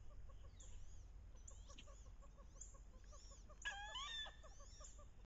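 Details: Paired wood ducks on a bayou in the last weeks of October, hens calling during the mating ritual; steady rapid chattering notes throughout, broken by one loud, rising, harmonic squeal of about half a second.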